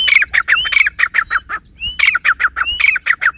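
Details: Grey francolin calling beside its chicks: loud, harsh squawking notes given in rapid series, two bursts of about eight notes each, with short rising whistled slurs between them, over a faint low hum.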